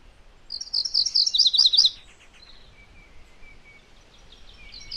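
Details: MacGillivray's warbler gives one rapid song of doubled high notes lasting over a second. Afterwards come faint thin whistles and a soft background hiss.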